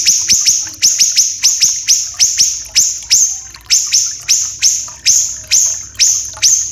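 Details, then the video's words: Siri-siri kecil, the Common iora, described as having long, dense, harsh song and used to train caged songbirds. Quick bursts of piercing high notes, often doubled or tripled, each fading into a buzzy tail, with faint water underneath. "MASTERAN SIRI-SIRI KECIL...!!! Dan Efek Suara Gemericik AIR"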